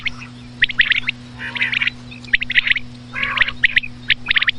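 Common quail calling at night: short bursts of bright, clipped notes, repeated about every second, over a steady low electrical hum.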